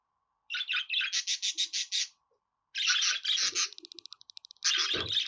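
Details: Budgerigar warbling: bursts of buzzy, rasping notes in quick pulsed runs, then a rapid series of short clicking ticks before another harsh, chattering burst. Nothing else is audible; the gaps are quiet.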